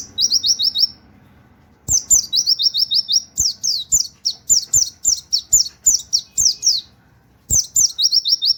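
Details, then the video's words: White-eye delivering a 'nembak wit wit kenari' song used for training other birds: a high rising trill, a pause, then a long chain of shrill downslurred whistles, another pause, and the pattern starting again. "pleci nembak wit wit kenari cocok buat masteran"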